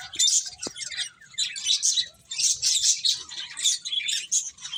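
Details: Finches chattering as they eat: clusters of bright, high-pitched chirps arriving in rapid groups, with brief quieter gaps and one soft click near the start.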